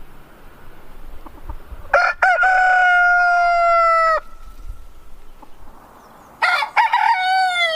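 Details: Crowing rooster gives one full crow with rough opening syllables and a long, level, drawn-out tone ending sharply, followed after a pause by the harsh start of a second crow.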